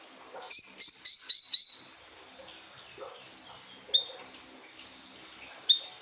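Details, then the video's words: Pied triller (siri-siri) song used as a tutor recording for pet songbirds: five loud, clear whistled notes in a quick even row, each with a sharp upward flick, then a few faint scattered chirps and short whistles. "Masteran burung siri-siri"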